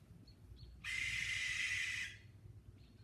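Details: Great horned owl screeching at night in a rural wooded area, one of several owls living there. A single harsh, hissing screech lasts just over a second, with faint high chirps before and after.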